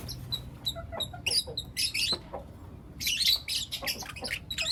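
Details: Lutino lovebird chicks chirping in the morning: thin, high single peeps at first, building into noisier, buzzy squawking bursts and rapid twittering toward the end.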